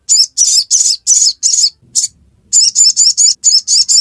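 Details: Dense ngiriwek song of a sogon, the sogok ontong: strong, fast, high chirps, about five in a row, a short break, then eight more in steady succession.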